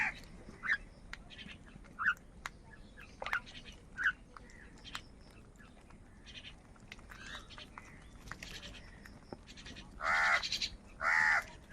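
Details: Crows fighting for food: scattered faint caws with background chatter, then two loud, drawn-out, hoarse caws near the end.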